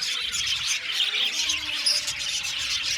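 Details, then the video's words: An aviary colony of budgies singing and chirping, a steady mass of overlapping high-pitched twittering and squeaky notes throughout. "Parakeet sound | budgies singing and chirping sounds"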